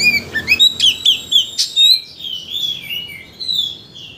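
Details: Oriental magpie-robin song used to stir a bird into singing its learned repertoire; a string of bright, evenly spaced whistled notes, then a softer, flowing warble.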